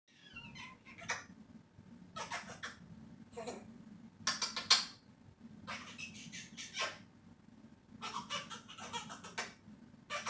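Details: Pet African grey parrot making kissing sounds into the air indoors; clusters of quick, smacking, squeaky clicks in bursts, separated by short pauses, over a low steady room hum.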